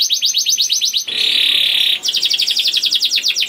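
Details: Young canary singing as a lure to get other canaries singing: a run of rapid chirped notes, a dense steady buzzy trill held for about a second, then fast repeated chirps again.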